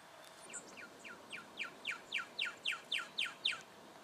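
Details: A juvenile brown goshawk in Victoria, Australia, October 2011, gives a quickening run of about eleven short downslurred notes, growing louder, over steady background hiss.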